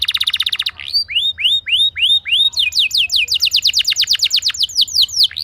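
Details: Canary lure song for setting other canaries singing: a rapid pulsed trill, then evenly spaced rising slurred whistles, ending in quick down-slurred notes in fast series.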